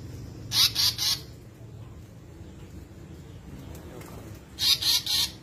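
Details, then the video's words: ['Grey-backed fantail calling: two bursts of three quick, high, clipped notes, one near the start and one near the end, over steady low rumbling background noise.'] "Suara Burung Tali Pocong Atau Burung Seriwang"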